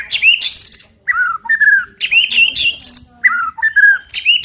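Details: Song of a white-rumped shama, played to stir other birds into singing; loud whistled phrases with rising and falling slurs and a high ringing note, repeated in bursts roughly every second with brief pauses between.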